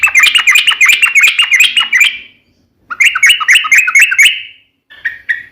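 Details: Lure recording of a sooty-headed bulbul in long, lively song meant to get other bulbuls calling back; two bursts of rapid, bubbling chatter separated by a short gap, then a few softer notes.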